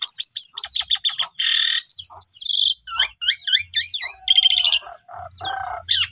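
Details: Energetic Asian pied starling song intended to provoke silent starlings. It has fast stuttered whistles, a long harsh hiss, twisting slurred notes and a buzzy rattling burst, with a faint low rumble near the end.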